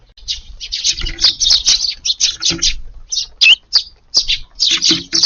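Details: Eurasian tree sparrows in a garden on an evening of 22 July, descending all at once to feed after being kept from food all day; loud, high, short chirps in quick irregular bursts with brief gaps, a few lower notes beneath.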